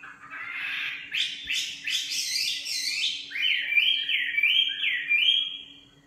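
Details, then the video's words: A singing nightingale delivers a loud, dense rattle of rasping notes, then a series of about five clear, looping whistles, over a faint steady hum. "Singing nightingale. amazing bird song"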